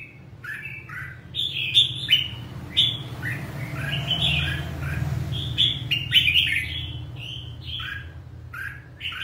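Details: Red-whiskered bulbul, 'ché' type in 'căng lửa' condition, singing rapid chirpy whistled phrases in clusters, with a few louder sharp notes, over a low hum.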